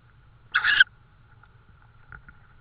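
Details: Tawny owl in Estonia, recorded on 16 May 2013 in the evening around prey deliveries; one hoarse, broadband screech lasting about a third of a second, then a couple of faint soft sounds over a steady thin background tone.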